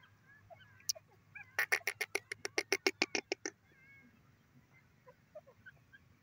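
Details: Grey francolin, or teetar, giving a fast series of about fifteen loud, harsh, rhythmic notes lasting around two seconds, with softer scattered chirps before and after.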